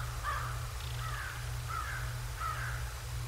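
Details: At the Decorah North nest on 7 January 2024, 08:36, a bald eagle gives four evenly spaced, thin, slurred squeals about half a second apart against a constant low hum from the nest camera.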